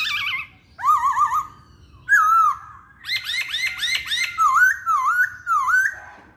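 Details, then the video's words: Active song of a masked laughingthrush: wobbling vibrato whistles, a slurred note, a burst of quick curved chirps, and then several dipping, wavy whistled phrases in succession. "Poksay Hongkong Gacor"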